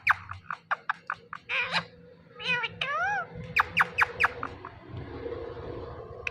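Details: Indian ringneck talking parrot, said to say "Mithu Mithu": a run of sharp clicking chirps, then warbled harmonic notes and wavering rising-and-falling whistles, over a low indoor hum.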